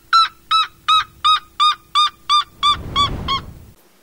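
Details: Ochre-rumped Antbird singing while foraging: a steady series of about nine harsh, nasal, harmonic-rich notes spaced roughly 0.4 seconds apart, the final notes weaker over a low rustling noise.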